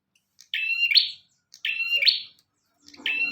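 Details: Bar-winged prinia, called prenjak tamu or prenjak omah, singing vigorously for use as a master recording to train other birds: buzzy, two-part high phrases with a sharp upward flick, repeated about every second and a half against a quiet background.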